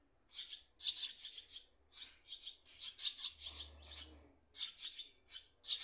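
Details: Young swallows in their nest with parents nearby, one on the wires; sharp, high, grating chirps repeated in a steady string of separate bursts, roughly two per second.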